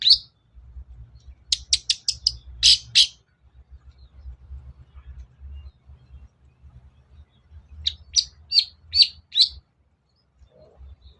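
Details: Long-tailed shrike lure recording, meant to draw a silent cendet into song: a run of rapid, dry, harsh notes, a pause with faint low rumble, then another fast series of sharp chattering notes.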